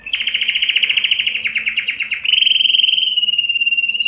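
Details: Canary song used to excite males and females for breeding: a rapid pulsing trill that changes into a long, steady, slightly falling rolled tour, all high-pitched over a quiet hum.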